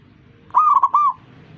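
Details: Zebra dove calling to encourage other zebra doves to join in: a single rolling, cooing phrase near mid pitch, three quick bubbling notes ending in a drawn-out coo, over quiet low background hum.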